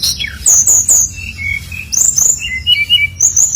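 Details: Brown-chested jungle flycatcher singing at full strength, played to coax other birds of its kind into song; clear high whistled phrases alternating with lower sliding whistles, delivered in quick bursts about every second.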